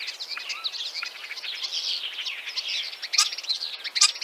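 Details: Common Starling singing in Central Russia: a dense, fast chatter of scratchy, twittering notes with brief clicks and a couple of sharp, high bursts near the end.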